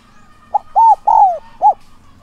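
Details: Spotted dove kept as a decoy, calling to lure wild doves, in the urging and calling coo styles: four low cooing notes, a short first one, two longer arched coos with the third drawn out and falling, then a short final coo, over faint steady hum.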